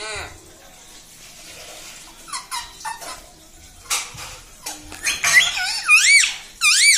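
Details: Pet parrot kept at home, said to talk and say "mummy": scattered squeaks and clicks, then loud wavering screechy calls that sweep up and down repeatedly toward the end, in a small room.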